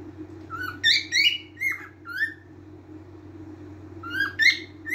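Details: Cockatiel singing: short rising and falling whistled notes, some warbled, in two bursts separated by a quiet pause, over a steady low hum.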